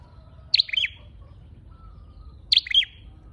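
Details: Two bright, sharp chirp bursts from a red-headed flowerpecker used as a lure, spaced about two seconds apart, each a fast cluster of high notes with a brief buzzy tail; a faint steady whistle lies beneath.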